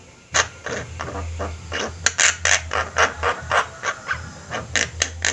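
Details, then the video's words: Javan myna chorus from a group of birds in full voice, kept as a master recording for training birds: harsh, broadband rasping notes repeated rapidly and unevenly, roughly four per second, over a steady low hum. "Jalak ombyokan gacor, cocok buat masteran"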